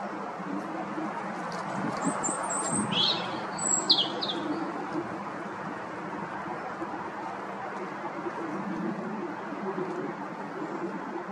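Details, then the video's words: Wild European robin singing for its territory from the top of a tall tree at a pond in Chesterfield, Derbyshire, UK; a short burst of high, thin, tumbling notes comes early, then fades into a steady low rumble of background noise. "Robin territorial singing!!"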